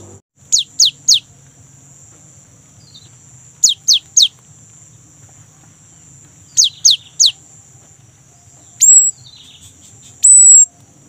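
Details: Young great tit singing steadily as a lure for kept birds. Triplets of high, sharply downslurred whistles recur about every three seconds, followed by two longer, flat high notes.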